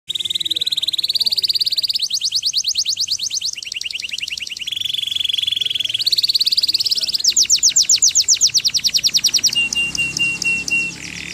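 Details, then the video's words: Canary singing a long, loud song in rapid phrases: a steady high whistled tone, fast buzzy trills, sweeping repeated notes and a closing flat whistle, each section shifting pitch every second or two. "Kenari "Chincin Canary""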